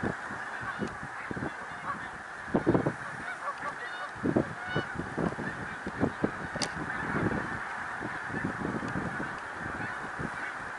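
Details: Snow geese in a large flock at Middle Creek Wildlife Refuge, Pennsylvania, on 1 March 2021, their dense overlapping high honks merging into a constant clamour, with louder nearby yelps breaking through every second or so.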